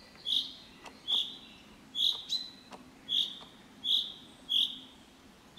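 A common chaffinch repeats a bright, high, slightly rising single note about every second, seven times in a row, with faint clicks in between.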